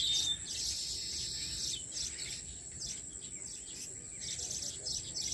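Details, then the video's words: Migratory weaver birds building nests in a farmhouse tree give dense high twittering chatter in overlapping bursts, with a constant thin insect-like whine in the background. "Weaver Birds Building Nest"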